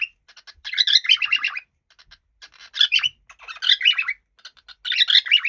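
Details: Happy pet cockatiel giving bursts of harsh, chattering calls, each about a second long with quick warbled notes, separated by short pauses and faint clicks.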